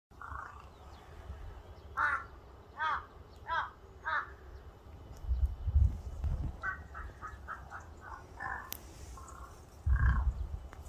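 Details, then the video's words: Crow calling: a quick run of four harsh, ringing caws around the middle, then a longer stuttering series of shorter caws, over a steady low rumble. "까마귀울음소리 Crow crying ASMR"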